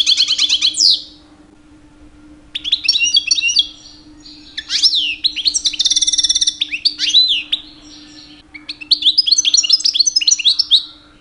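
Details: Mating-season song of a two-year-old European goldfinch singing constantly to attract females: several long bouts of rapid tinkling twitters, trills and a buzzy rattle, separated by short silences, with a faint hum throughout.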